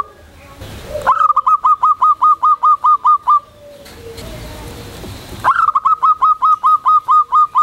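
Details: Local Zebra dove (perkutut) in full, loud song calling to companions: quick bursts of clipped, ringing notes repeated rapidly in two runs of about ten notes each, separated by a brief noisy pause.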